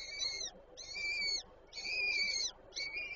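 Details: At the nest in Warszawa Żerań, Poland, on 8 May 2023, a female peregrine feeds her chicks; four high, whining calls, each about half a second long, follow one another about once a second.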